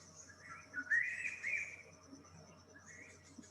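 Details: Greater racket-tailed drongo (Dicrurus paradiseus), vocal mimicry of a Crested Serpent Eagle call: a loud, rising whistled phrase, then a shorter whistle, over steady hum and high insect buzz. Racket-tailed drongos are important members of mixed-species flocks in tropical forests.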